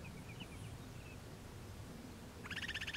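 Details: Upland sandpiper NW of Regina, Saskatchewan, Canada, on June 26, 2016, around 7 p.m., with a second bird a few km east: a rapid bubbling series of sharp notes after a few faint chirps, over a low rumble of wind.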